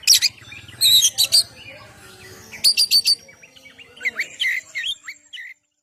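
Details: Oriental magpie-robin song in the ngeplong style, played to lure birds and make them sing; sparse sharp bursts and a short ringing triplet, then softer twisting whistled notes.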